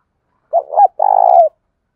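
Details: Spotted dove cooing, played to stir captive doves into cooing; two short, low, hollow notes followed by a longer, steady, slightly throbbing coo, all in a low mellow register, with a quiet background.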